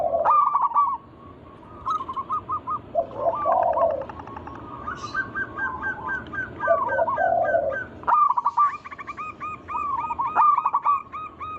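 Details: Zebra dove lure song from local wild birds, aimed at making other doves sing: overlapping series of rapid rolling coos, deeper soft coo phrases in between, and a bright run of repeated notes toward the end.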